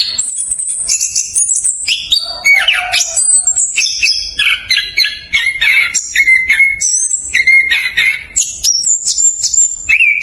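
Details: Orange-headed thrush, caged, with a rapid rolling, dense fast song used as a lure to get reluctant thrushes singing: a non-stop stream of varied whistles, slurred trills and high sweet notes switching quickly between phrases.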